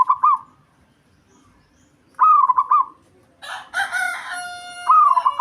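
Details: Local zebra dove singing as a lure to provoke rivals. Three short stuttering coo phrases, interrupted midway by a loud rooster crowing.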